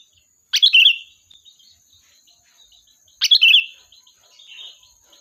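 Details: Sooty-headed bulbul singing to draw in a flock as a lure: two crisp phrases about three seconds apart, each a sharp chirp burst flowing into a liquid whistle, followed by quieter trailing notes.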